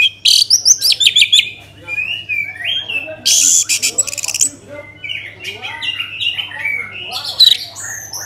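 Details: Orange-headed thrush song meant to coax other birds into singing: rapid series of sharp high notes, then a dense buzzy burst, followed by varied softer whistles and twitters, a low hum throughout.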